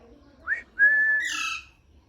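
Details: Pet parrot whistling happily: a brief upward-sliding whistle, then a long level whistle that ends in a harsh, noisy squawk.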